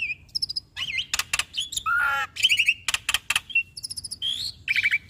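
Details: Black-winged starling, a caged bird, singing with varied fill-in phrases as a training recording: a medley of whistled slurs, sharp clicks, a harsh buzzy note and quick stuttered trills in rapid succession.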